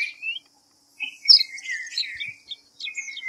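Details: A white-browed fantail (Rhipidura aureola) gives brief whistled phrases of sliding notes between short silences, with a steady high hiss behind.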